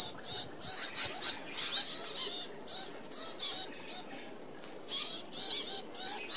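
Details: Red-browed finches feeding together at a mesh feeder in Australia give fast strings of thin, slightly descending high chirps in clustered bursts, with a brief lull near the middle.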